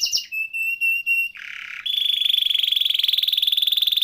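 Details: Canary (kenari) masteran song: several steady whistled notes, a brief buzzy burst, then a long fast rattling trill of evenly repeated notes.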